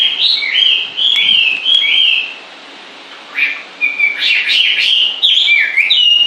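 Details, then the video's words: Constant bird song: a sequence of clear slurred whistles, a quiet gap of about a second, then a busy burst of chirps and warbled notes at a fast pace. "Con chim hót suốt nghe mát ruột"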